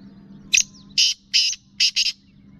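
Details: A female black francolin gives its male-exciting call, recorded in the Sindh–Punjab region: a phrase of five rasping, scratchy notes with the last two paired closely, all over a faint continuous low hum.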